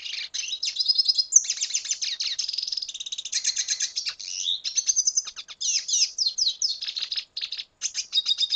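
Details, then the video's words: Red siskin from Venezuela in full song: a continuous, rapid, high-pitched twittering and trilling stream mixed with buzzy rattles and sliding whistles, barely pausing throughout. "Canto Cardenalito Venezuela"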